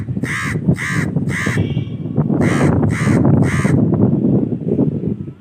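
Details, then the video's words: Crow cawing in two bursts of three harsh, grating caws each, delivered rapidly with short gaps, against continuous low rumbling background noise. "amazing crow sound//natural crow sound//lovely crow voice"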